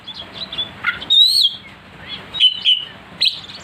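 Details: Provocation song of an oriental magpie-robin, or kacer, singing nonstop with a sharp voice: soft twittering leads into a loud, long wavering whistle, then upslurred and clear level whistles and a final harsh burst, with a faint constant hum.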